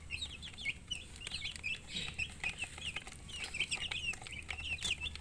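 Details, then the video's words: Several chicks cheeping nonstop, thin high piping notes scattered irregularly and often overlapping, along with a few soft clicks and a low steady hum. "Baby "Chicks Chirping" Sound"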